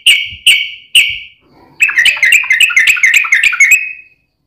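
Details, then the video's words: ["Yellow-vented bulbul singing a long 'ropel' lure song meant to prompt other bulbuls to reply: three clear separate liquid notes, then a rapid run of tumbling, bubbly warbled notes."] "trucukan gacor ROPEL PANJANG buat pancingan trucukan agar bunyi JADIKAN burung trucuk gacor NYAUT"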